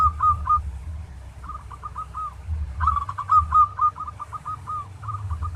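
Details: Training song of a local zebra dove, 'tarik' style: several phrases of rapid, purring coo notes with hooked endings, the middle phrase loudest and longest, set against constant low-frequency hum.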